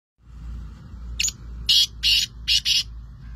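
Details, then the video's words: A kept francolin (teetar) gives five loud, harsh, grating notes in quick succession, a brief first note then a rapid run, over a low steady hum. "My francolin - Teetar ki awaz"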